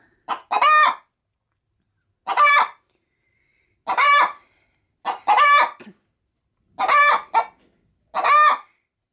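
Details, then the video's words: Pet hen preparing to lay an egg in a feed bag, cackling when approached: a regular run of harsh doubled squawks, each pair about a second long, repeated every one to one and a half seconds. "Pet Hen Picolina making funny sounds (Gallina Picolina haciendo sonidos graciosos)"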